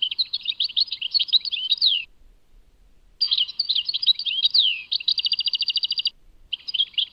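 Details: European goldfinch from Tadmait in full song: twittering phrases ending in a long downward slur, a silent gap of about a second, then more tinkling notes leading into a rapid, uniform trill and a final short phrase.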